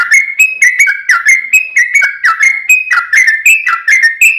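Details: Sooty-headed bulbul fighting song with long rapid-fire phrases, used to provoke other bulbuls into singing: an unbroken stream of quick, clear whistled notes rising and dropping in small steps, about four per second.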